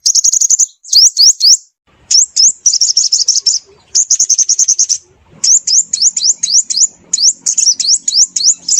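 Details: High-pitched sunbird calls used to lure birds for trapping: an almost unbroken mix of rapid buzzy trills and quick runs of rising upslurred notes.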